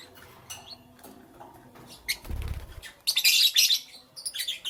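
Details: Lovebirds heard in the morning: soft scattered twitters, a low rumbling thud, then a dense burst of loud, harsh, high chattering chirps.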